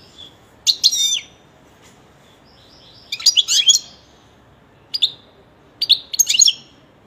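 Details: Pet European goldfinch singing several short phrases of liquid twittering and sharp high chirps, some single call notes between the bursts, spaced irregularly over several seconds indoors.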